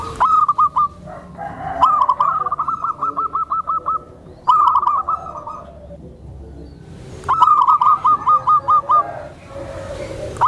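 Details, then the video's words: Tame zebra dove giving soft cooing meant to lure and stir other zebra doves, suited to training newly kept birds; four bursts of rapid staccato coos on one pitch, each run of about eight beaded notes, with quiet gaps between. "SUARA PERKUTUT JINAK, LEMBUT, DAN MEMANCING PERKUTUT LAINNYA"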